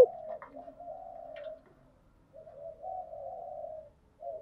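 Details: Spotted dove hen lure, thúc gù cooing to rouse a decoy bird: a quiet, drawn-out, wavering murmur, held about one and a half seconds, then repeated after a brief gap.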